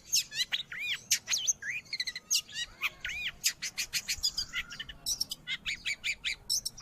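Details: Long-tailed shrike singing, a recording meant for training pet birds or luring wild ones: arched whistled notes and rising slurs mixed with rapid scratchy clicks, varied and fast, with notes repeated several times.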